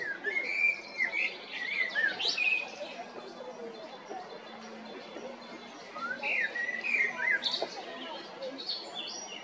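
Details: Male common blackbird in Zagreb, Croatia, recorded at Jarun or Prečko in April–May 2022, singing two phrases: clear fluty whistles around mid pitch that end in high, squeaky twitters, with a pause between them and a steady background hiss.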